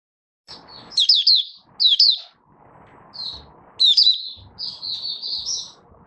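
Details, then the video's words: A Malaysian Oriental white-eye, not yet in top form, sings opening song on 1 August 2023: high, thin twittering phrases of quick chirps and short warbles in bursts every second or so over faint rustle. "Mata Puteh - Buka Sing"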